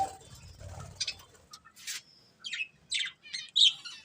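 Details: Budgerigars from a breeding pair give a series of short, high, rasping chirps spaced about half a second apart, following a muffled low rumble at the start.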